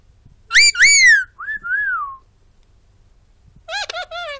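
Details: Loud pet bird, said to be talking, inside a home: two ringing whistles, two softer swooping whistles, a long pause, then a fast, warbled chattering phrase.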